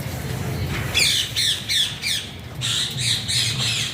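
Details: Harsh, ringing Alexandrine parakeet squawks repeat roughly three times a second in two bursts separated by a short gap, over a steady low background rumble.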